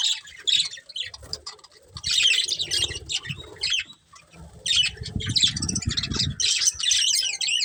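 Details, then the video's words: Budgerigars of a breeding pair give clusters of scratchy chirps and squawks separated by gaps, with low rumbling and fluttering noise between bursts. "Cute Colourful Budgies Chirping Sounds"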